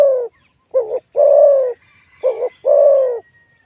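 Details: Wild spotted dove with a big voice, cooing during a session of decoying wild doves with a decoy bird in Thailand. Five deep, hollow coos come in an uneven rhythm: short, long, then short, long again, with quiet gaps between.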